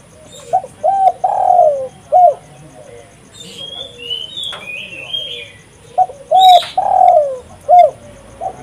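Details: Actively calling spotted dove used to lure and decoy wild doves; two phrases of clipped low coos ending in a longer drawn-out coo, with high whistled notes from other birds in between.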